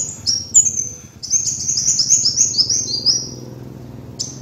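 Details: Kolibri wulung (sunbird) lure master: high, sweet chattering song of rapid repeated slurred notes in a long run, ending with a brief chip, with a constant low background hum.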